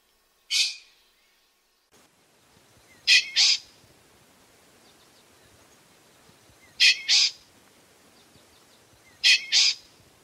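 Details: Common pheasant repeating sharp, high, grating double notes every few seconds, each pair quick and abrupt, against a soft rustling background.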